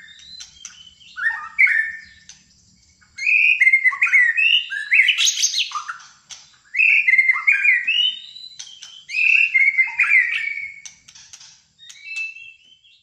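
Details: White-rumped shama from Malaysia, fighter style, in full song: rich, varied whistled phrases with rising and falling slurs and sharp high notes, delivered in dense bursts separated by brief pauses, clean and dominant with no other clear sounds.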